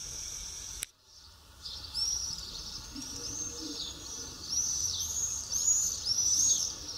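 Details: Swifts at Matallana, 2016: shrill, high screaming calls in overlapping arcs, repeated many times a second and growing louder toward the end, after a sharp click near the start.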